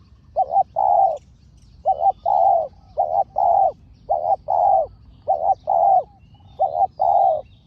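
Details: Spotted dove, one of two fierce birds in a decoy-luring contest. Rounded coos are paired short-long and repeated about six times at a fairly even pace. Faint high bird calls can be heard in the background.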